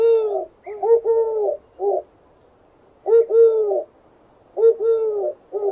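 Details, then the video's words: Gentle low cooing from a dove, phrases recurring roughly every one and a half seconds, each a quick first note followed by a long wavering coo and a short final coo, with faint background hiss between. "Real Dove Bird Sounds"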